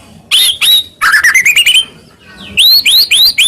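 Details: White-rumped shama in full song, used to provoke quiet males into singing: sharp chip notes, then a run of rapid notes rising in pitch, ending in a series of bright upslurred whistles.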